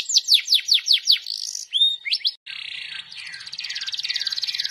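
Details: Lively, constantly singing canary with ornamented phrasing: a run of about seven descending whistled sweeps, a few short rising notes, a brief silence, then a sustained, dense buzzy trill to the end.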